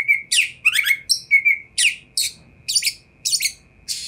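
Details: Kacer, the oriental magpie-robin, in loud varied song meant to draw a response from other magpie-robins: clear whistles mixed with harsh, buzzy, chattering notes in quick separate bursts.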